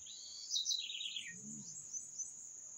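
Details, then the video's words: A single bird phrase: high sweeping notes that fall into a rapid lower trill lasting about a second, over a persistent thin high-pitched hum, followed by faint twittering. "Canto dos pássaros"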